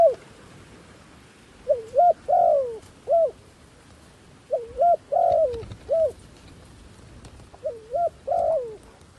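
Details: Decoy dove calling wild doves down with three repeated phrases about three seconds apart, each of quick paired coos, a longer wavering coo and a final short coo, with a light hiss behind.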